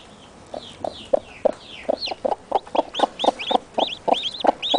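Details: Newly hatched chicken chicks with their mother hen, peeping continuously to keep her near; bright arched whistled peeps repeat rapidly over steady, low, evenly spaced clucking pulses about three per second.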